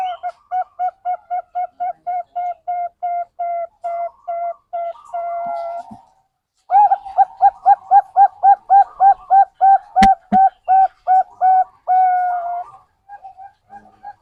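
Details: Zebra dove cooing, used as a lure to prompt other birds to sing: a long run of short, evenly spaced staccato coos at about three per second, a brief pause, then the series resumes with a single sharp click midway.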